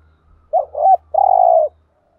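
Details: Decoy spotted dove coos to attract wild doves: a wavering double note then a long burry coo, over a faint low hum.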